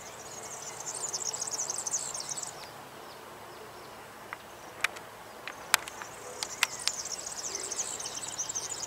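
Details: European serin singing: rapid, high, jingling buzzy trills in two bursts, the first lasting about two and a half seconds and the second resuming after a pause, with scattered sharp clicks in between.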